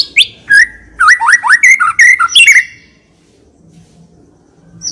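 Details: Selected white-rumped shama singing steadily with full fills, kept as a lure to prompt other shamas. A burst of quick whistled upslurs and slurred notes lasting about two seconds, followed by quiet.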